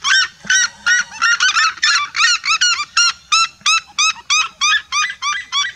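Several red-legged seriemas call together in loud, yelping, goose-like notes, about three per second, overlapping in a ringing chorus.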